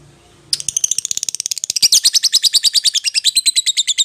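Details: Lovebird calling its companion, also used to lure an opponent: a rapid run of shrill, buzzy chirps starting abruptly and continuing fast and steady, around three notes per second, growing louder toward the end.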